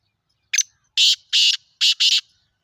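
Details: Kala teetar, the black francolin, calling in a clean recording: a brief sharp opening note followed by four loud scratchy buzzing notes grouped in two pairs, the phrase lasting under two seconds.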